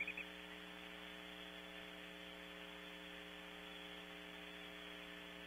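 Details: Steady electrical hum with layered low tones and hiss, broken only by a few brief clicks in the opening moments.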